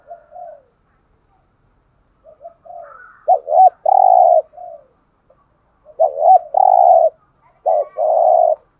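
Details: A spotted dove in the 'giọng hạp' style, played to rouse caged birds, gives a soft opening note, then three loud phrases, each a short double note and a drawn-out coo, with quieter notes between.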